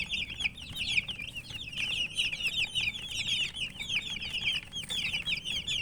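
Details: Coloured baby chicks in a continuous chorus of loud, high, quick cheeps, several birds overlapping, with faint rustling beneath.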